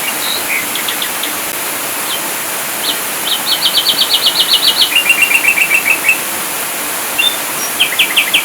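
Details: Ashy drongo singing a full master song: scattered sharp notes, then a fast even series of clipped repeated notes stepping down in pitch, followed by a short rapid burst at the end.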